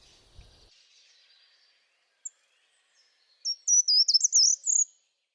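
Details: A short-toed treecreeper sings in a garden in spring: a far-carrying quick phrase of about six very high, thin, wavering notes over a second and a half, preceded by faint hiss and a lone tick.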